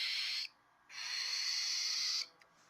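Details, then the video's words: Hungry albino cockatiel chick, hand-reared, giving its dinosaur-like begging cry: two long harsh hissing rasps, the second lasting over a second, separated by a short silence. "Baby Cockatiel broken..she sounds like a Dinosaur(Hungry Cry)"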